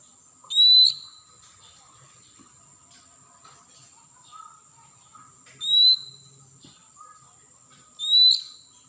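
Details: Wild forest Oriental magpie-robin, used as a lure for caged birds, gives a clear upslurred whistle three times at irregular gaps, with faint low notes between and a steady high hiss behind.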